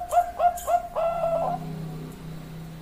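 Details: Female zebra dove of the Bangkok line calling to a male: three short, evenly spaced coos, then a longer rolling, bubbling coo that fades into a low hum.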